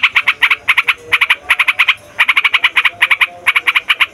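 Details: Yellow-vented bulbul chattering in gacor rolling song, used to lure wild bulbuls. Harsh notes come in quick clusters of three or four, spaced by short gaps.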